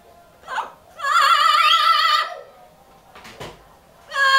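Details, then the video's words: A parrot singing: a long wavering, vibrato-like tone rich in harmonics for over a second, preceded by a short faint note, then a clear sustained note starting again near the end. "the parrot sings better than ever before!"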